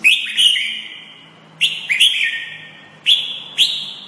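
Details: White-rumped shama master song used to tutor caged birds: loud, pure whistled notes that start high and slide slightly down, held over a second each, given in irregular bursts against a quiet room hum.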